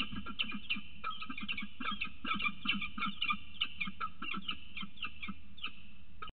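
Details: Peregrine falcon (Falco peregrinus) call on a breeding ledge in the morning as the adult male arrives with food for the female on the day of her first egg: harsh, rasping notes repeated several times a second in an excited run, over a steady low rumble.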